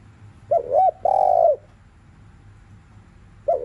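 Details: Spotted dove cooing in the afternoon, played to stir other doves into calling: a pair of short wavering hoots then a long, level, mellow coo, with the next phrase starting at the end.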